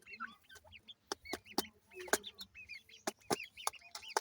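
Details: Grey francolin chicks call in a busy peeping chorus of short, high, hooked notes that overlap continuously, punctuated by loud clicking taps.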